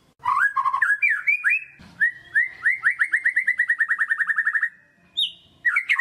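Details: White-rumped shama in full 'gacor' song, played as a lure to excite reluctant shamas: varied warbling phrases, then a fast rhythmic train of identical rising whistles for about two seconds, followed by a pause and sharp high notes.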